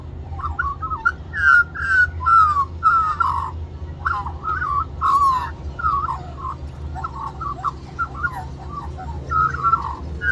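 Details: Small wild magpie singing for more mango at lunchtime among a group of magpies, Cirillo Reserve, Middleton Grange, New South Wales, Australia; rich warbling, fluty phrases with slurred whistles and gurgles, almost continuous over steady low background hum.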